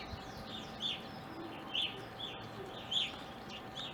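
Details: Evening grosbeak calls from an Ohio backyard, where the birds stayed from winter 2020 into April 2021; a few separate clear, slurred chirps spaced roughly a second apart, with softer calls between them over a low steady hum.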